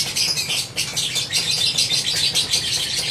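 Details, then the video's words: A captive lovebird in full, long unbroken chattering song (ngekek panjang): shrill, buzzy high notes tumbling out about three times a second without a pause. "Love birds gacor ngekek panjang konslet"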